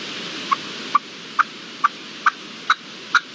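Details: Red-legged partridge in the wild, March 2022: seven short clipped call notes evenly repeated about every half second, each a sharp chuck against steady background hiss.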